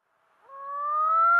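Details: A male Common Loon in Minnesota gives a yodel, an alarm or distress call used in territorial defence: a long, clear, slowly rising wail that swells steadily in loudness.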